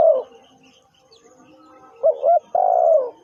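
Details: Decoy spotted dove: the tail of one croon fades out, then after faint background chirps comes a full phrase, a quick wavering coo followed by a long, steady, downslurred note.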